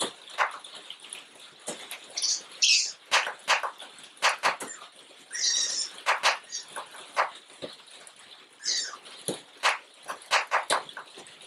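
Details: Captive female African eagle-owl guarding a stuffed toy she treats as prey: bursts of harsh, airy hissing mixed with sharp snapping clicks, coming in uneven flurries.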